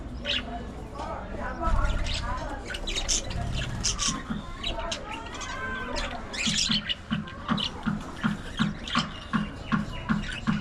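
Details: Aviary colony of budgerigars giving overlapping warbled chirps and short squawks. Toward the end, a steady low tapping repeats about every half second.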